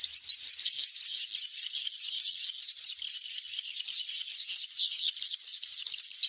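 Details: Calling sound used to lure swiftlets in the rainy season: a steady high trilling twitter with quick repeated chirps, broken by brief gaps near the end.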